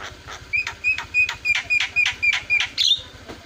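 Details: Starling sounds used as a lure to make a silent starling start singing noisily: a run of short, bright chirps repeated about four times a second, each with a thin whistled note beneath, over a faint low hum.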